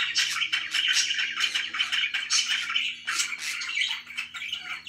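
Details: Happy pet budgies in busy chirping, rapid scratchy pulses roughly three per second over a faint low hum, indoors.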